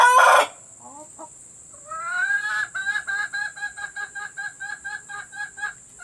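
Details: Village hens recorded as a sound to encourage laying: a brief loud burst, then rising drawn-out notes breaking into a steady run of short, evenly spaced clucking cackles, roughly four per second, over a faint high hiss.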